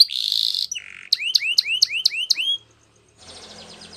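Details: Canary training song opening with a buzzy high trill and a brief lower buzz, then six upward-curving whistled notes, a short silence, and a faint trill.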